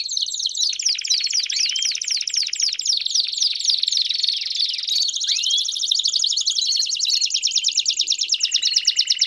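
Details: Campainha-style canary song with piados for training young canaries: fast high trills with swept notes, shifting into a steadier ringing trill, then a lower rolling trill at the end.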